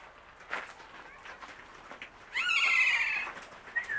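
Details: Captive kea (Nestor notabilis) at Zlín zoo, giving its typical 'kee-aaa' call: a loud, harsh, drawn-out screech of nearly a second that sinks slightly in pitch. Soft talking and thumps can be heard beforehand.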